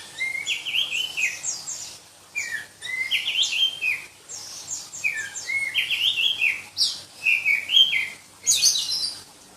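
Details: Black-breasted magpie-robin, a form from Berau in East Kalimantan, favoured in Indonesian songbird contests for its shrill voice, delivering rapid, dense phrases of high shrill whistles and downslurred notes in repeated bursts every second or two.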